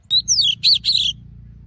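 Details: Brief forest-voice phrase from an Oriental magpie-robin, used to train voices and rouse males. A sharp upward whistle, then a falling slur and two buzzy trilled notes, all within one second.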